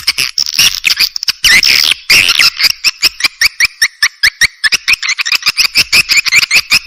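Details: Clear swiftlet calls for attracting swiftlets to a nest house: fast runs of clicks mixed with short twittering chirps, a busy chattering passage early on, then regular clicking about four times a second.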